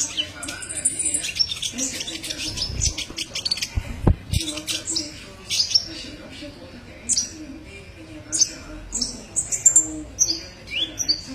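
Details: Kolibri ninja, the olive-backed sunbird, in a tutor recording: scattered high chirps and short trills, with knocks and low rumbles in the background.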